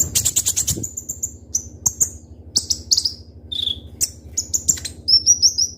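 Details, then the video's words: Ninja sunbird (konin) lure song, sharp and crystal-clear: a burst of buzzy notes, then high thin whistles and chirps, ending in a run of quick repeated high notes; faint hum underneath. "Suara Burung Kolibri Ninja Konin Gacor Full Isian Tembakan Tajam Ngobra"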